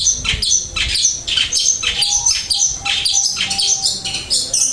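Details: Long-tailed shrike pouring out flowing song material, a fast jumble of sharp high chirps, squeaky whistles and short trills in quick succession, with a thin steady tone faintly underneath.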